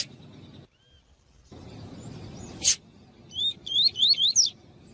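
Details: A captive White-throated seedeater (coleiro) gives the tuí-tuí song used to teach young coleiros and seedeaters and to warm them up for singing: four quick, high whistled notes, each sweeping up then down, over a steady background hiss.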